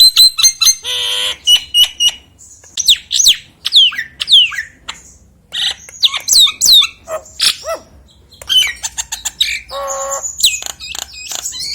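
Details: Energetic common hill myna of the Nias type, calling to stimulate quiet mynas: a dense run of loud down-slurred whistles, rasping squawks and clipped chatter, repeated in quick irregular phrases.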